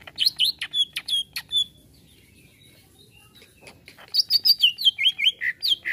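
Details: Greater green leafbird reacting to a played sound: an opening burst of quick whistled notes, a two-second pause with faint clicks, then a rapid run of varied looping whistles.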